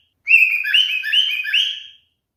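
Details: A male cockatiel whistles to call a female as part of mating behaviour. One warbling phrase of linked whistled notes, each rising then dipping, lasts under two seconds in a quiet indoor setting.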